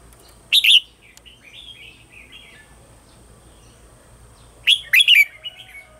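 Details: A red-whiskered bulbul sings in the morning, loud, bright, bubbling phrases with softer warbling between them, a song used to train and stimulate other bulbuls.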